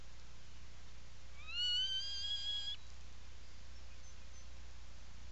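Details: Atlantic puffin in a nesting burrow, Seal Island National Wildlife Refuge, Maine, 17 July 2018, afternoon: a single loud call starting with a quick upward slide, then held level about a second, harmonically rich, then quiet hum.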